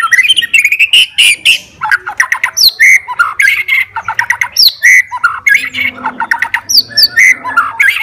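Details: White-rumped shama fighter singing to goad rival shamas: a dense, restless stream of harsh chattering notes, quick slurred whistles and squawky bursts, almost without pause.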